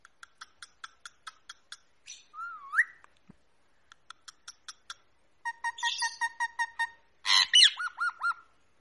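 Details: Pet rose-ringed parakeet known for talking, mixing runs of evenly spaced sharp clicks with a looping whistle, a burst of rapid chattering notes, and a loud harsh squawk followed by short wavering whistles.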